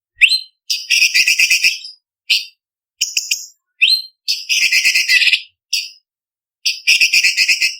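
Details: Blue-winged leafbird tutor song for songbird contests, in a varied, sharp filled style: rising whistled upslurs alternate with long, dense, rasping trill bursts. Short pauses separate the phrases, with no other sounds.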